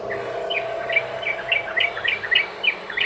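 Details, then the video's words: A yellow-vented bulbul's rapid lure song: a short burst of quick, bubbling chirped notes over steady background hum. "trucukan ROPEL PANJANG buat pancingan burung trucukan agar bunyi jadikan trucukan gacor NYAUT"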